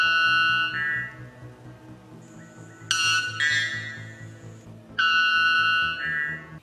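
White bellbird giving loud, ringing metallic notes that start abruptly and hold steady, over a soft rhythmic music bed.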